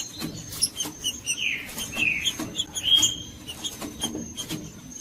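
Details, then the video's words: Singing green-winged saltator, Judas type, offered to heat up quiet caged birds: a run of sweet whistled slurs mid-clip among rapid chirps, clicks and a constant thin high note. "MELHOR VÍDEO PARA ESQUENTAR TRINCA FERRO FRIO 2024 TRINCA FERRO JUDAS"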